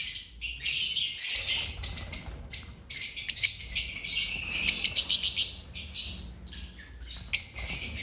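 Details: Crowded chorus of chirping birds in an aviary in Rawalpindi: overlapping high tweets and bursts of rapid trills, pausing briefly now and then before starting again.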